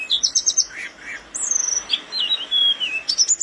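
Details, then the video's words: Singing mountain flowerpecker on a training recording: a quick burst of high stuttered notes, then long thin descending whistles and fine trills, very high-pitched and close. "burung tledekan gunung gacor"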